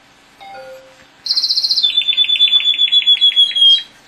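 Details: A male pet canary sings a bright, high trill: a fast buzzy roll, then a run of quick ringing notes, about four per second.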